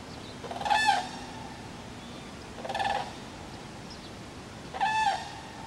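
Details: Cranes at Friskalanlahti bay giving three resonant, bugling calls spaced about two seconds apart, each brief and rich in overtones, with faint background hiss.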